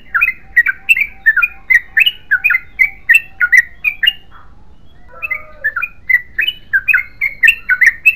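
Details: Yellow-vented bulbul pours out rapid, bubbly 'ropel panjang' song phrases, pauses for about a second, then resumes the same chattering, liquid notes in quick succession.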